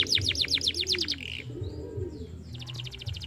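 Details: Canary song to stimulate a young bird to sing: a series of falling chirps, a short buzzy note, soft slurred whistles, then a quick high trill, with cooing in the background.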